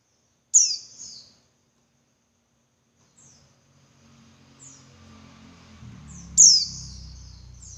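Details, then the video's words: Female Javan white-eye call used to provoke males to sing: two strong high, falling chirps opening and closing the passage, with faint short notes between and a low rumbling background noise in the second half. "Suara Burung Pleci Betina Buat Pancingan Pleci Jantan Biar Ngalas Lebih Ngotot"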